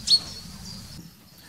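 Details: Common chaffinch (Fringilla coelebs) among garden birds in Pays Bigouden Sud, Brittany, gives one brief, high, thin tweet, then falls quiet over a faint low hum; a call.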